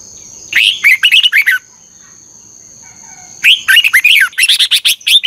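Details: Red-whiskered bulbul in morning song training, 'ché căng lửa' double-twisted voice, recorded as a lure for training birds. One phrase of quick whistles, a two-second pause, then a longer, denser run of rapid sharp notes, over a constant high hum.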